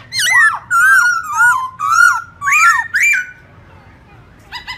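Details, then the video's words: Morning song of the black-throated laughingthrush in forest style, for training young birds: six loud wavering whistled phrases, each bending up and down, then a pause and a short ringing note at the end. "Khướu bạc má hót giọng rừng Đảo giọng buổi sáng cực hay"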